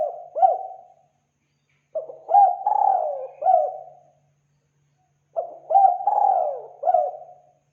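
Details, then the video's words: Lure call of a spotted dove. Two full cooing phrases, about three seconds apart, each with soft hooting notes, a long downward slur and closing coos, plus the tail of an earlier phrase at the start. "Suara Pikat Burung Tekukur Derkuku Deruk"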